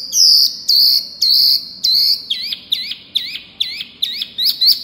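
A Wambi gives high, thin whistles: four long level notes, then a quicker run of short hooked notes, about two each second.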